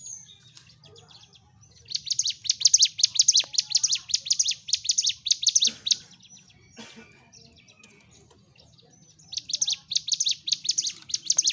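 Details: Sunda warbler, called ciblek gunung, singing energetically in a fighting style meant to provoke other birds: bursts of rapid, high, dense chattering trills from about 2 to 6 seconds and again near the end, with a quiet gap between.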